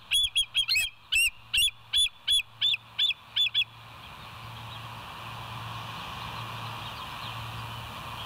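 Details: Bald Eagle of the West End pair, recorded by a live nature cam on 25 September 2023 at 7:00: a fast series of about eleven high, thin piping notes with harmonics, then steady background noise with a low hum.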